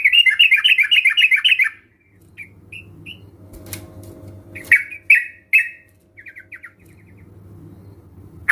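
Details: Sooty-headed bulbul lure song for a bird slow to sing; an opening burst of fast warbled notes, then sparse short chirps and small trills among clicks and a low hum.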